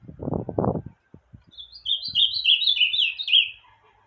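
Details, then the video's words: On a Sunday morning, an ultramarine grosbeak (azulão) that has just bathed sings a quick, sweet warbled phrase of slurred notes drifting slightly downward over about two seconds, after a man's brief speech. "Azulão Meia-noite"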